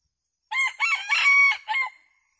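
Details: Crowing decoy rooster of red junglefowl, filmed abroad, calling wild junglefowl to come feed as a flock: a strong crow of four segments, the third long and sustained, ending in a short clipped note, clean and loud.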